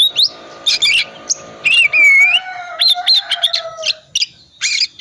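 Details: Calm-type Oriental magpie-robin in full 'isian' song, played as a lure so hesitant magpie-robins start singing again: clipped high chips, a clear arched whistle and rapid note bursts over a faint lower hum.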